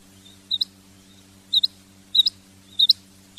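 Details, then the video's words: Female quail calling: high, sharp double notes, each pair a quick clipped chip, repeated roughly every second, over a steady low electrical hum. "Female Batair Sound / چنگا مادی بٹیر کی آواز"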